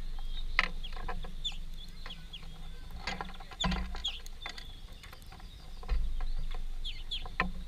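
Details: Quick, high chirps and twitters come from a greenfinch family feeding at a workplace, broken by sharp knocks and rattling mechanical noise over a low hum.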